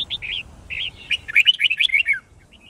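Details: White-cheeked red-whiskered bulbul fighting song used to train birds: rolling whistled phrases that build into a rapid, jumbled string of bright chirps before fading into soft notes.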